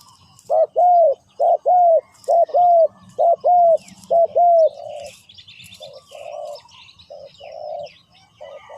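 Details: Spotted dove used as a decoy in ground trapping, calling to lure wild doves: low hollow coos in paired short notes, each followed by a longer slurred note, repeated steadily with brief pauses; faint higher chirps of other birds behind.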